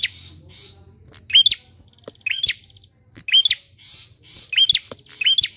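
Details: A bar-winged prinia in animated song, used as a lure for other birds: abrupt rising chirps with buzzy overtones, some paired, in an uneven rhythm after a quiet start.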